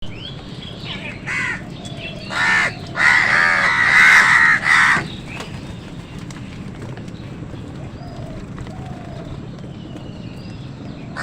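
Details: Crows squabbling with wild birds over food: a few harsh bursts, then a long, loud, ragged run of raspy cawing lasting nearly two seconds, followed by quieter outdoor background.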